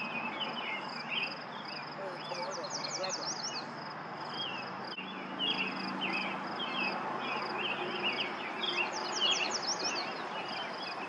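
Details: Yellow warbler in song at Lauritzen Gardens, Douglas County, Nebraska, May 28, 2024: two quick phrases of bright, high, slurred notes about seven seconds apart, amid constant chirping of other birds, a pulsing high drone and steady hiss.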